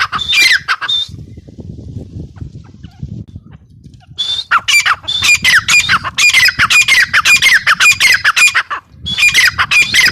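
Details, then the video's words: Female grey francolin calling outdoors: an opening flurry of harsh squawks, a pause filled with low rumbling background noise, then a long, rhythmic run of loud rasping notes, a short break, and more calls. "Teetar ki awaz | teetar sound | gray francolin teetar awaz | female teetar sound"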